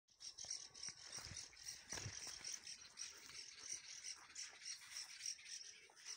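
A bird gives harsh, dry, rattling chatter in fast, unbroken bursts for several seconds, high-pitched and scratchy, with a faint low rumble underneath.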